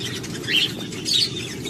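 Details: A quail chick hatched from an egg incubated by a female budgie gives two brief, high, thin peeps over a steady hiss of background noise.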